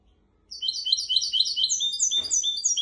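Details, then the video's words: Goldfinch x canary hybrid singing a memorised tutor song for teaching goldfinches and canaries: after a brief silence, rapid high twittering trills of repeated slurred notes run without pause, with one short thump midway. "تغريد طائر الهجين ميسترو حفاضه لتعليم طيور الحسون والكناري بدون اخطاء"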